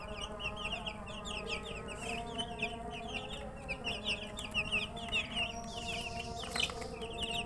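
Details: Chicks thirsty for water give a busy flock chorus of sharp, high peeps, each a quick falling note, packed several per second, over a constant low droning hum.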